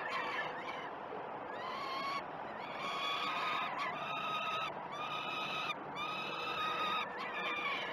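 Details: Feeding time for peregrine falcon young at Great Spirit Bluff, 12 June 2018: strident harmonic begging wails, each held a second or so and repeated with slight upward inflections, above a steady low hum.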